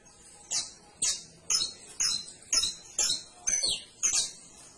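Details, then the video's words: Steady canary singing, eight bright high-pitched notes repeated at an even beat of roughly two per second, each a short buzzy-whistled chirp, over a low hiss. "CANARIO CANTO - 21 MINUTOS DEL AVE CANTANDO"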